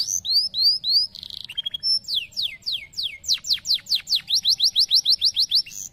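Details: Canary pouring out a varied song: looping whistles, a buzzy burst, a string of falling sweeps, then a long, fast series of repeated sharp rising notes.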